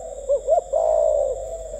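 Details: Spotted dove up for sale, delivering one gù tít coo: two short upward-swooping notes, then a longer, smooth, gently falling tone over a steady faint hum.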